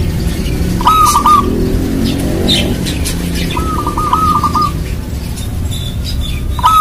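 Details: Local zebra dove (perkutut), a keen singer, cooing to lure other doves into calling. Three rapid staccato, bubbling coo phrases of beaded notes at steady pitch. Constant low-pitched background rumble throughout.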